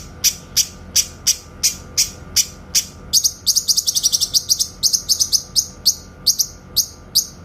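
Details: Clear tembakan-style delivery of a grey-cheeked bulbul, used for tutoring white-rumped shamas: evenly spaced piercing chips that speed up midway into a fast stuttering run, then slow again.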